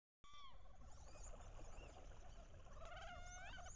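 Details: Paired wood ducks on a bayou in late October, hens giving loud head-down courtship calls to entice drakes. A descending squeal opens, followed by busy overlapping nasal notes, then rising whistled squeals near the end.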